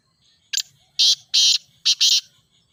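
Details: Grey francolin (teetar), from a training recording for captive birds that do not call. A brief sharp note, then two long, coarse, raspy notes, then two more closely paired rasping notes, all very loud over faint low hum.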